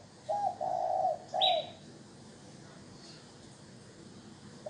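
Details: Spotted dove coo used to excite and lure wild doves: three low, mellow hooting notes in quick succession, with a brief high chirp from another bird overlapping the last note, then quiet.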